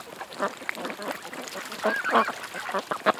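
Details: A group of ducks at a creek, with rough, nasal quacks rising into a louder cluster midway, then scattered single calls.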